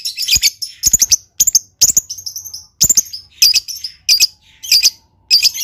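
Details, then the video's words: Lovebird giving a lively, loud song of shrill, scratchy chirps in quick clusters, with brief pauses between bursts and a few rising squeaks. "LOVEBIRD GAYA MEWAH. SEKALI BUNYi LANGSUNG YAUT.."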